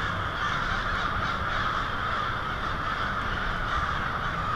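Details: Hundreds of American crows roosting noisily at night on Mary Avenue, Lansing, Michigan, February 2016; an even, relentless blanket of harsh caws from the whole flock.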